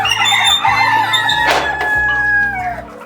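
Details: A shed holding 1,000 Fayoumi parent-stock chickens kept for egg laying, on a large farm in Bangladesh, clucks and squawks together, one bird giving a short crow-like cry midway, over a low steady hum.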